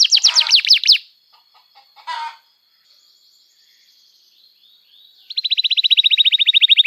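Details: Canary song used to coax young canaries into singing. A rapid trill is followed by a pause with faint chips and soft noise, then a long, steady, fast trill of clear repeated notes.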